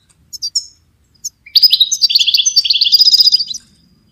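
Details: Several quick chirps lead into a long, fast, rolling twitter of high tinkling notes lasting about two seconds, sung by a goldfinch for training other songbirds.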